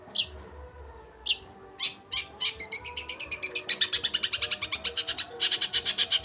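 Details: Energetic long-tailed shrike singing, kept as a tutor bird: a few scattered harsh notes that speed into a long, fast, evenly pulsed chatter of rasping high notes, with a low faint hum in the background.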